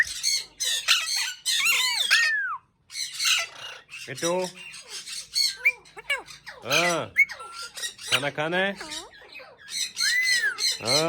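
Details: Indian ringneck parakeet kept as a talking pet produces loud harsh squawks and gargling, voice-like chatter with bending whistled tones in between.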